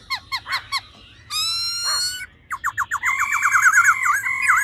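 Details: Female laughingthrush 'ro ro' calling to excite males fast: four quick sharp chips, then a long nasal buzzy note, a pause, more chips, and a rapid wavering stuttered trill at the end.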